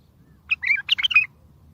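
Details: Short bulbul phrase used for trapping and to start silent bulbuls singing: a compact run of six or seven bright, warbled notes, some sliding, lasting under a second over faint low background noise.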